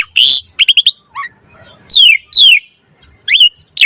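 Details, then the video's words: Asian pied starling varied song for luring and training birds: scattered whistles, a quick trill of three notes, and long falling slurred whistles separated by short pauses. "Suara Jalak Suren Mompa Variasi AMPUH Buat Masteran & Pancingan Burung Jalak Agar Full Gacor Isian"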